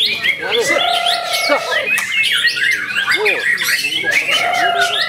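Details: White-rumped shama from Ciseeng, Bogor, Indonesia, recorded 10 August 2021. Its song has long, level whistles that drop at the end. A short jumble of chirps follows, then the whistles come back near the end, all against constant chatter and bird noise.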